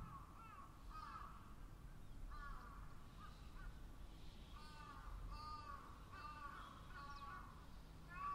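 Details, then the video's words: A group of crows calling in chorus: separate raspy caws, some clipped and some drawn out, spaced irregularly about a second apart, with a steady low rumble beneath. "Crows' Chorus"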